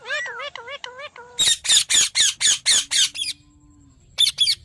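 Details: Wavering harmonic notes from a ringneck parrot give way to a rapid, regular train of loud, harsh screeches, about four a second, followed by a pause and two more shrieks.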